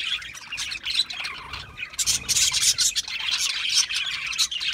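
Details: Budgerigars give quick scratchy chirps, fast and uneven, growing louder and denser after a short lull at two seconds.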